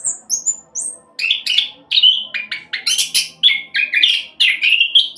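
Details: Fast rolling song from an orange-headed thrush used as a singing lure for other birds: opening high whistles, then a rhythmic run of loud chattering and whistled phrases, evenly spaced and energetic.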